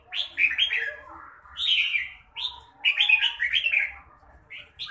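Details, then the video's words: Red-whiskered bulbul singing in the style called mãng nhãn: bright, warbled phrases that swoop up and down, delivered in bursts of about a second with short pauses between them. "Chào mào bộ đẹp lối chơi mãng nhãn"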